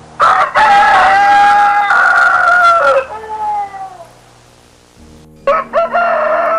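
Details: Rooster crowing: a long harmonic, slightly broken call of about three seconds that falls away at the end, followed by a quieter pause and a further burst, with background music underneath.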